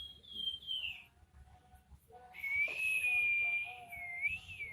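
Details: Crested jay (pelamboyan) singing keenly in nyiul style: a short falling whistle, a pause, then a long, steady, slightly wavering whistle lasting over two seconds, with faint lower tones underneath.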